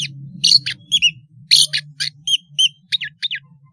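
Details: Singing long-tailed shrike serving as a lure for spotted young birds to copy: varied squeaky and buzzy notes, short down-slurred whistles, and twittering phrases over a steady low hum.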